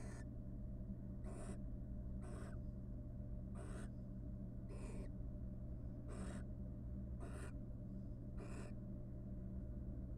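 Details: Courting wild barn owls in a research nest box after rearing three young: a regular series of eight short, raspy screeches roughly every 1.2 seconds, over constant low hum.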